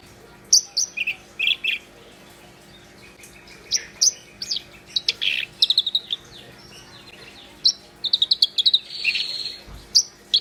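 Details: Black-browed reed warbler in full, vigorous song, pouring out varied phrases of harsh chatters, sharp high chips and scratchy buzzes in irregular bursts, with a grating rasp near the end.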